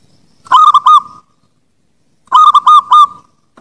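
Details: Zebra dove song as training material for birds: two matching loud phrases about two seconds apart. Each has three or four rapid, clipped cooing notes at one pitch and a lingering final tone, with silence between.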